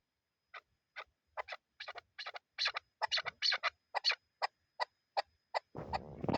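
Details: Chukar partridge, a hunting bird, uttering quieter clucks in irregular pairs and triplets that speed up and then thin out, ending in a burst of low rumbling noise.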